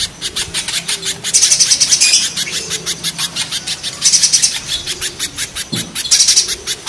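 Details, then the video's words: A spiderhunter, 'pijantung gunung' versus 'pijantung pisang' types, chips continuously at a quick steady pace, with high piercing notes building into three intense, buzzy, crowded bursts spread across the recording. "Raja kasarnya kolibri pijantung gunung vs pijantung pisang"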